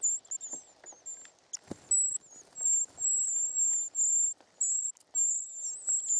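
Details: Short-toed treecreeper nestlings begging at feeding time: strings of very high, thin, hissing whistles, with softer rustling, scraping and a sharp knock from the nest.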